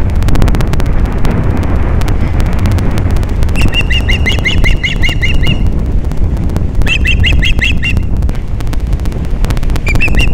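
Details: Osprey during morning mating at Captiva, Florida, in December 2021: two rapid bursts of high, piping chirps, about a dozen then six, a lone chirp at the end, all over loud buffeting wind.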